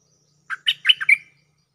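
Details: Lure call of a cream-vented bulbul calling a mate: one rapid phrase of five chattering, gurgling notes that ends on a brighter whistle, over a faint low hum.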